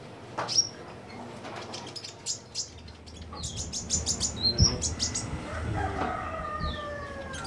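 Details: Brown-throated sunbird, locally called kolibri ninja, singing vigorously in captivity under simple care; sharp high chirps and thin whistled notes come in scattered bursts over low background rumble, with a brief smeared wavering tone near the end.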